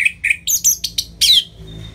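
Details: Orange-headed thrush (Anis Merah) ngeplong-style phrase, used to urge quiet birds to sing: quick chirped notes rising in pitch, ending in a longer, thin whistle that fades out.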